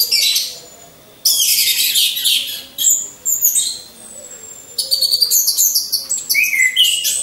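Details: In captivity, hung in a row, orange-headed thrushes give loud high buzzy phrases separated by quiet gaps, ending in quick repeated trills and rising whistles; faint low cooing underneath.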